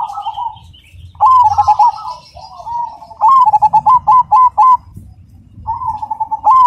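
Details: Cemani zebra dove song, loud and clear: soft rolling coos, then a rhythmic series of sharp, ringing clipped notes, about seven in quick succession, followed by a quieter purring trill.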